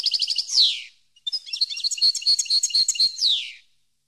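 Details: Training song of a European goldfinch for captive birds: two twittering phrases with a short pause between them. Each ends in a loud buzzy slur that drops in pitch.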